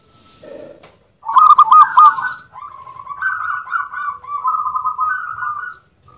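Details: Loud-voiced local zebra dove giving a long, rolling series of quick, mellow cooing notes that wavers slightly in pitch over several seconds, after a short burst of sharper notes; a faint whistle is heard at the start.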